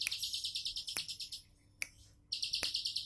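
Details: Bar-winged prinia in relaxed 'tembakan' song, two quick buzzy high trills broken by a short silent gap and sharp ticking sounds.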